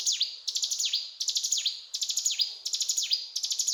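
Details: Rapid, piercing cetrakan song of the mountain tailorbird: clusters of four or five sharp ticks ending in a falling whistle, repeated briskly about every second.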